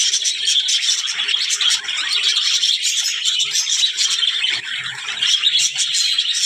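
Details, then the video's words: Budgies chattering in quick, overlapping high chirps and scratchy warbles, with faint low background rumbles here and there. "budgies parrot talking | chidiya ki awaz"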